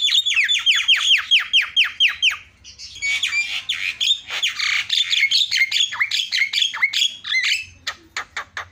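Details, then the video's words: Starling song used to provoke other birds into song: fast series of sharp downslurred notes, then a dense stretch of scratchy chatter and whistles, ending in quick clipped ticks. "SEKALI PENCET JALAK LANGSUNG PADA CEREWET"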